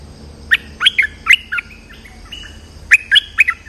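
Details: A bulbul (merbah lekir) lure sound gives two bursts of bright, chirpy notes that bend up and down, each burst of four or five quick notes, separated by a short pause.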